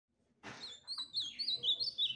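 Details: Ultramarine grosbeak song: a soft, fluid warble of high sliding whistles, flowing continuously after a brief noisy onset.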